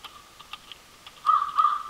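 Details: An American crow at a backyard feeder in Manitouwadge, Ontario, on 24 March 2020, gives two harsh, hoarse caws in quick succession, preceded by a few faint ticks and clicks; American Crow.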